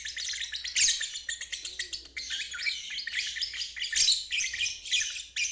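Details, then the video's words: Continuous shrill ngeriwik chatter from a lovebird, offered to teach stalled birds and young birds the song; fast buzzy trills rising and falling in loudness with only tiny gaps, and a faint hum. "Terapi Lovebird ngeriwik untuk burung macet dan balibu belajar bunyi"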